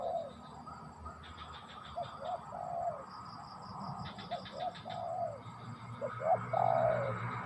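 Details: Spotted dove cooing: a few soft, mellow coos, some short and one longer falling note near the end, with a steady faint high-pitched whine and bursts of pulsed chirping in the background.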